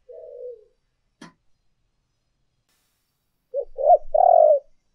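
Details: {'caption': 'Spotted dove from a lure recording of urging and calling coos: a soft falling coo, a brief click, then near the end a phrase of short notes building into a long rolling coo.'}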